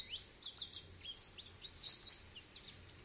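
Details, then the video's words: Goldfinch song: quick, high, tinkling twitter of short bright notes and slurred chirps, loosely strung together over three seconds with small pauses between bursts. "Goldfinch Bird Sounds"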